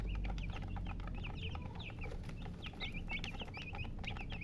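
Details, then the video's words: Chicken chicks cheeping nonstop. Many short, high, bent peeps overlap in a busy chorus, over a steady low background rumble. "Baby "Chicks Chirping" Sound"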